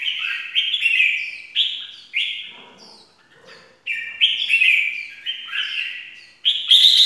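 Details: Red-whiskered bulbul call used as a lure for trapping: loud, clear whistled phrases repeated in bursts, each bright note sliding and warbling, separated by brief pauses with faint low rustling.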